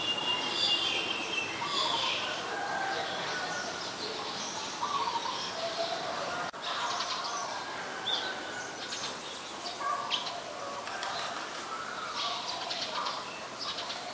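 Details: Eurasian tree sparrows, a very common resident, at Ubon Ratchathani, Thailand, on 22 November 2019: a busy run of short, bright chirps, many overlapping, with steady background hiss and other faint bird notes.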